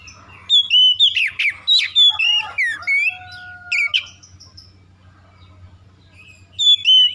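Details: Oriental magpie-robin singing, used as a lure to provoke birds into aggressive fighting song; loud, varied whistles, rapid slurred trills and sharp chirps pour out in dense bursts, then a brief lull with two steady tones before another clear whistled phrase.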